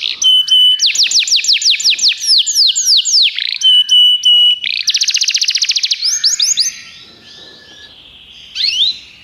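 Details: Singing Belgian canary used as a tutor: a steady high whistled tone breaks into quick descending sweeps and dense buzzy trills, phrases changing every second or two, before the song fades to quiet and one short final phrase.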